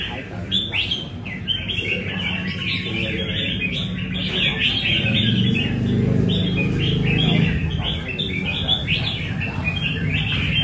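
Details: A red-whiskered bulbul from Nam Đông sings during a café practice session in Da Nang, Vietnam. Its song is a steady run of lively, repeated chirping phrases, about three per second, with a low hum behind it.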